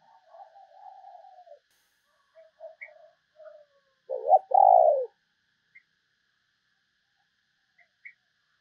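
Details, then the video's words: Spotted dove calling as a decoy to lure other doves: soft fragmented cooing notes lead into one loud two-part coo, a clipped note then a longer hollow, low coo, with faint high chirps afterward. "chim cu gáy kích bổi mới"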